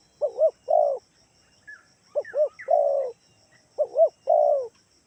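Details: Lure call of a spotted dove, Kalimantan, used to prompt replies from other doves: three repeated phrases of two short rising coos and a long falling coo, with a few faint higher chirps in the gaps.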